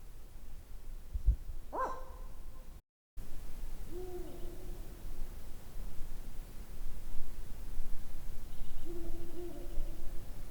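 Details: Ural owl (Strix uralensis) in Estonia: a short, harsh barking note, then two low, steady hoots about five seconds apart, with faint background hiss throughout.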